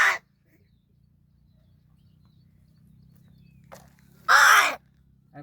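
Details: Talking crow at Gargaon, Palghar, said to be angry and using a changed voice: a long loud hoarse rasping burst after a short harsh note, with quiet pauses between and a man's voice near by.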